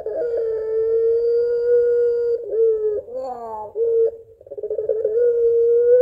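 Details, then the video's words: A Barbary dove gives a long call to its mate: a steady, mellow coo lasting over two seconds, then wavering, sobbing, laughing-like notes and another drawn-out coo, in a small room. "SUARA PANJANG PUTER PELUNG GACOR MENANGIS TERTAWA MEMANGGIL PASANGANNYA"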